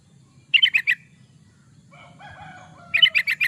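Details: Lively yellow-vented bulbul song meant for luring or tutoring other bulbuls: two quick bursts of four to five chirpy notes, with softer whistled calls from another bird between them.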